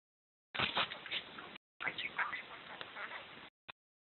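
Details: A pet budgerigar named Roman chatters in harsh, scratchy bursts with quick squeaky notes.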